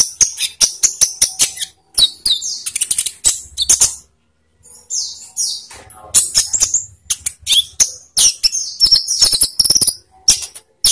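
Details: Olive-backed sunbird lure song for captive birds; long runs of rapid, high, sharp chips and twittering trills, briefly pausing midway.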